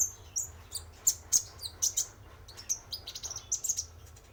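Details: Male spotted konin sunbird recorded to lure other birds: bright, very high chirps repeated in quick irregular runs, each note short and piercing, over a low background hum.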